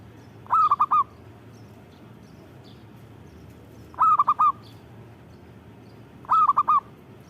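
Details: Zebra dove, a local Indonesian perkutut singing persistently: three bright, clipped cooing phrases, each a quick run of about four hooting notes, separated by roughly three-second pauses over a low steady background hum.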